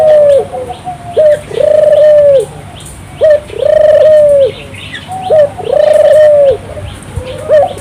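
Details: Turtle dove in full song, played to get local doves singing too: three clear phrases of a quick rising note followed by a long, smooth, steady coo, evenly spaced about two seconds apart.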